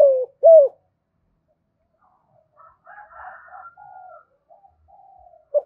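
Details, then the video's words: Decoy spotted dove calling to lure wild doves: two loud, low, hoarse coo notes at the start, then a quieter burst of muffled, wavering cooing and a final short coo. Otherwise quiet. "chim cu gáy mồi gáy gọi liu dui bổi nghe nhạy gáy, tiếng cu gáy mồi chuẩn"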